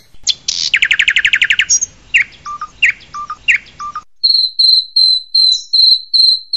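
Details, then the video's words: Long-tailed shrike, a tutor song with 'tembakan' style phrases: a rapid buzzy trill, then sharp downslurred chips, then a run of clear high whistled notes repeated about every third of a second. "Masteran Cendet Tembakan Unik"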